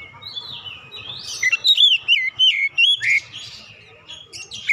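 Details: Oriental magpie-robin singing as a lure for other birds: a soft buzzy start, then a run of loud curling whistles and short chirps, ending abruptly.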